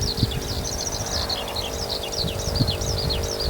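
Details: Eurasian skylark that took off from a field in the evening and sang actively high overhead: a continuous, rapid stream of high chirps, trills and slurred twittering notes, slightly faint, with a steady low hum underneath.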